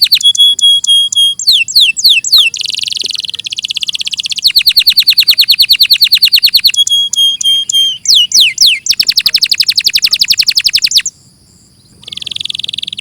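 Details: Long canary song in clear sound, alternating whistled notes, buzzy rattling rolls and rapid trills of falling notes, with changes of tempo throughout and a short pause before a final buzzy roll.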